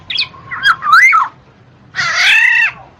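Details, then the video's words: Black-naped oriole, used to prompt lazy cage birds to sing, gives a looping fluty whistle that rises and falls, then a long harsh, nasal drawn-out note. "SUARA KEPODANG MAS"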